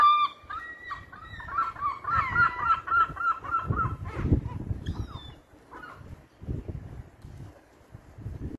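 Herring gulls give loud, nasal, harmonic yelping notes in quick runs for the first four seconds, then scattered calls, over low rumbling wind.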